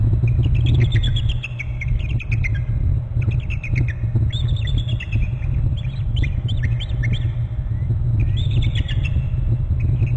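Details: Bald eagle on the Hornby Island nest territory giving high, squeaky chattering calls in falling runs, several bursts in quick succession, with loud low rumbling noise underneath.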